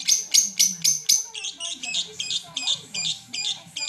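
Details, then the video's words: Lovebird lure call in mentil style, meant to provoke rival lovebirds, from Garut: a few sharp, ringing chirps, then quicker buzzy chirp bursts, with people talking quietly behind. "Pancingan love bird mentil bikin LB lain naik emosi"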